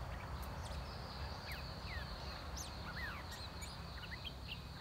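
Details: Red-whiskered bulbul in a decoy cage luring wild birds, which arrived fast. Includes a big wild bird with a large crest and fine song. Clear slurred whistles, rising and falling, scattered over a few seconds against low rumbling background noise.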